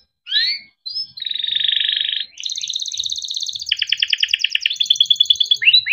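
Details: Caged canary in full rolling 'ngerol' song: a downslurred whistle, a long steady buzzy roll, then fast pulsed trills that speed up and change pitch, continuous and loud throughout.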